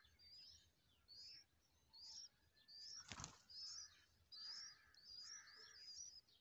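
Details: Bulbul feeding her chicks with worms: thin, high squeaky chirps repeated roughly once a second, with a few lower notes, a sharp wing-flap-like crack, and faint background noise.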